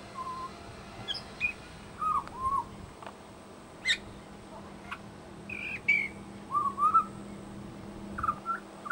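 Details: Australian pied butcherbird singing and mimicking local sounds in suburban Brisbane; pure whistled slurs and upward-curving notes alternate with sharp clicks and brief high squeaks, phrases coming every second or so against a faint background hum.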